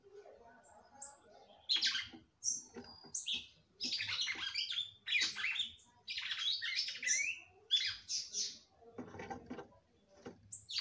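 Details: Female red-cowled cardinal singing to stimulate her mate: separate loud bursts of high, scratchy chirps and downslurred notes with short silent gaps, starting after a quieter, lower opening.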